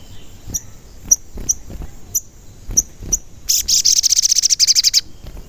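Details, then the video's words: Sogon in lively singing form, played as a lure to make other sogon sing and get excited, also for luring wild birds; several sharp high chirps, then a fast rapid trill of very high buzzy notes lasting about a second and a half. "Pancingan Sogon Agar Bunyi dan Emosi"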